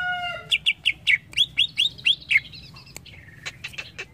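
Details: Greater green leafbird (cucak ijo) singing: a run of about nine bright, down-slurred whistled notes at a quick steady pace, opening with a few low pure tones and ending in scattered sharp clicks and chips.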